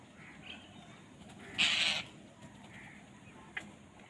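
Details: Crow fighting for food: one loud, harsh, rasping caw lasting about half a second, standing out above a steady background of faint high chirps from small birds and a brief click near the end.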